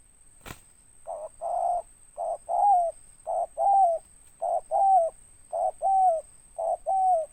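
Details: Spotted dove giving a big-voiced 'ngeruk' coo with an ending note: about six paired phrases, each a short note followed by a longer mellow, descending coo, repeated roughly every second; a click opens the recording against a quiet background.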